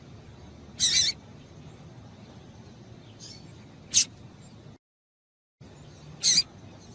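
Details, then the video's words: Calls of a female double-collared seedeater, used to excite males: three brief high piercing notes at irregular intervals, separated by long quiet stretches and a momentary silent gap, with faint low hiss throughout. "Piado de Fêmea de Papa capim para Esquentar Papa capim"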